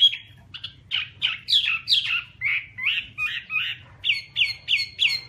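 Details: Chinese hwamei song of distinct, separate whistled phrases about every third of a second, first wavering and slurred, then ending in a crisp run of identical clear notes.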